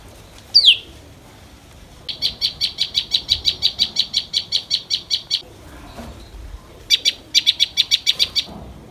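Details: Common tailorbird chicks fed by a parent bringing worms: one sharp descending chirp, then a fast run of about twenty high, evenly spaced chirps, a pause, and a second shorter burst of rapid chirps.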